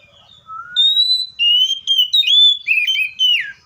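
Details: A Seychelles magpie-robin opens with a soft low whistle, then a strong high steady note, then a tumbling series of warbled whistles that ends in a downward slide.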